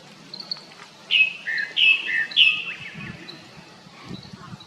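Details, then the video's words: Japanese thrush singing in the wild: three loud, clear whistled notes in quick succession around the middle, with softer, fainter whistles before and after and low background rumble. "クロツグミの鳴き声Turdus cardi's cry"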